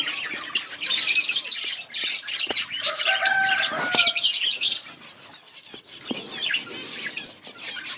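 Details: Feeding budgerigars in a colony chatter loudly with overlapping high chirps and warbles, some clear whistled notes, then quieter chatter.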